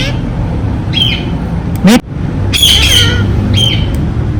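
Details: A few short squawks and one loud sharp note from a ringneck parrot, spaced out among low background hum.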